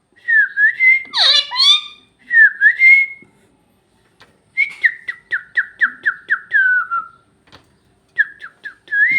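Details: Talking parrot using Bhojpuri: whistled phrases with a harsh, speech-like burst, then a descending series of about nine short whistled notes, closing with a couple of brief rising whistles.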